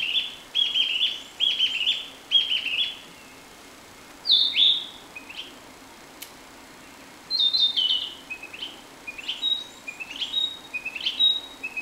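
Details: Narcissus flycatcher singing near a city in Tokushima Prefecture, Japan: clear whistled phrases of slurred notes, some rising, some falling, in bursts separated by short pauses, with a quiet stretch mid-way.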